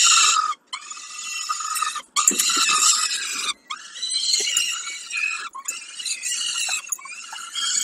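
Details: Peregrine falcon at Kawęczyn during a snack, dated 20 05 22: bursts of harsh, raspy, squealing calls, each lasting about a second and a half and split by short silences, with a thin rising whistle in between.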